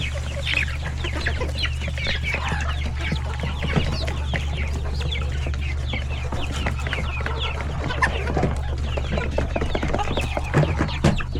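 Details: Chickens, roosters and many chicks in a coop at lunchtime feeding, a hectic scene: dense, continuous high peeping of chicks in quick downward-sliding notes, mixed with lower clucks and occasional sharp knocks, over a steady low hum.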